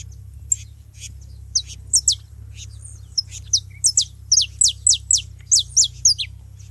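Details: A group of saffron finches noisy at a feeding spot gives sharp, high, falling chirps. Sparse at first, they become a steady stream of about three per second, over a soft low hum.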